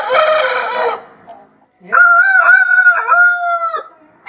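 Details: Rooster crowing in the morning, anticipating sunrise: a brief harmonic note, a pause, then a long, sustained, slightly wavering crow of nearly two seconds with rich overtones that ends abruptly.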